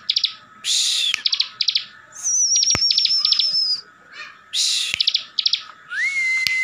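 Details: Bar-winged Prinia kept by an owner in Slawi, Tegal, Central Java, in constant ngebren song meant to make rival birds reply: harsh buzzy bursts alternating with quick ticking notes, a long thin high whistle in the middle and a rising whistle near the end.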